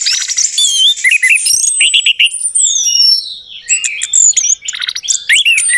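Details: Orange-headed thrush singing, used to make a silent bird answer: a continuous, rich medley of high trills, sharp chips and sweeping whistles, with long gliding notes sliding downward through the middle.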